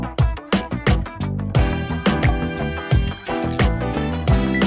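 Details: Upbeat funk-style music with a steady thumping beat and bright layered instruments, with no animal voice anywhere.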